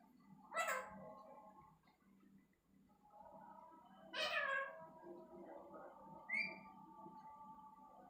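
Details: Talking parrot making two loud wavering, meow-like cries about four seconds apart, with quieter humming tones between them and a brief high chirp near the end.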